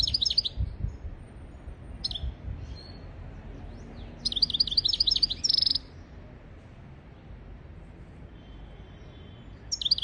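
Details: European goldfinch song, a training recording for goldfinches and canaries: scattered high chirps, then a lively twittering phrase closing with a brief buzzy trill, and a final burst after a quiet stretch.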